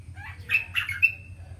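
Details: Red junglefowl, kept by its owner, giving a few short squawky chirps with a high thin tone, three quick bursts within about a second over a low steady hum.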